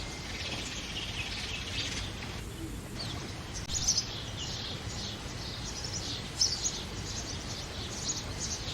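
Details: House sparrow chicks, two young in a man-made clay pot nest, begging while adults feed them: thin, high chirps repeated in quick bursts over a steady hiss of background noise.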